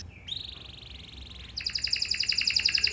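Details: Canary lure song to prompt other canaries to answer: a soft flat whistled tone, then a rapid high pulsing trill, fairly quiet against faint background noise.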